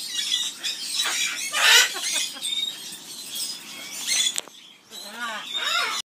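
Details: Amazon parrot in an aviary delivers the skimmeradinkadinkadink song: noisy raspy squawks at first, then after a short pause a series of quick wavering harmonic whistles.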